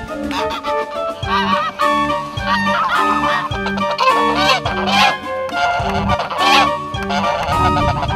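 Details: Four domestic geese acting aggressively toward a stranger, a tourist taking photos, while protecting their grandma; repeated nasal honks in quick succession from several birds, over steady background music.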